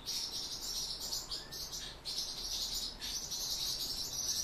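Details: Song Thrush nestlings receiving food from the father, producing an intense, almost unbroken high-pitched hissing squeal chorus that briefly drops off around two and three seconds.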